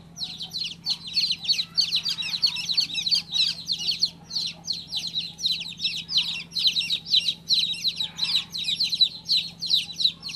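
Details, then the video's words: Baby chicken chick, just hatched, peeping rapidly and almost nonstop, sharp high notes tumbling over each other in dense runs with short breaks, a faint constant low hum beneath. "Cutest baby chick chirping sound"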